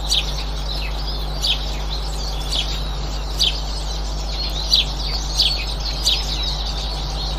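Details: Eurasian siskin, 18 March 2024: high, thin downslurred notes repeated roughly every second, some doubled, above faint continuous twittering and a constant low electrical hum.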